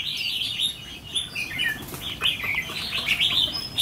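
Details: A trainee 'mí lửa' red-whiskered bulbul used as a decoy, tested for attitude: scratchy, busy chirping phrases run throughout, with fluttery rustling and louder shrill notes toward the end.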